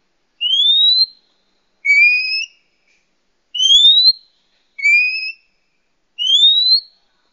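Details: Female Oriental magpie-robin calling males, used to lure wild birds: five clean upslurred whistles spaced one to two seconds apart, alternating higher and lower pitched notes, each about half a second long, no other sounds.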